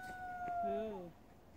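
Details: A common loon (Gavia immer) on Lake Beauvert near Jasper, Canada, gives one long, pure, steady wailing note held level for about a second, with a lower, sliding voice briefly overlapping near its end.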